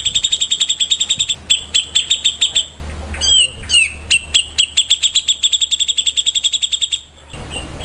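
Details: Morning singing from a white-rumped shama: rapid trains of clipped high ticks around a middle passage of looping, slurred whistles and buzzy notes, then more fast ticking; a low electrical-sounding hum runs underneath.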